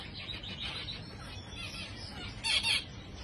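Zebra finch giving nasal, buzzy beeping calls, with two louder bursts near the end over soft background chatter from other small birds.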